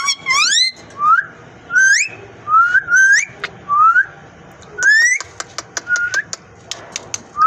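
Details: A parrot described as speaking repeats short rising whistles every second or so, followed by a run of sharp dry clicks, with soft background noise throughout.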